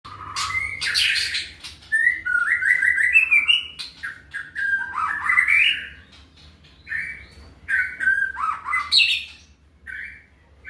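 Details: White-rumped shama, locally murai batu, singing in the macul style with a full set of fill-in phrases: loud, varied whistled and fluty phrases that rise and fall, mixed with harsh bursts and short pauses.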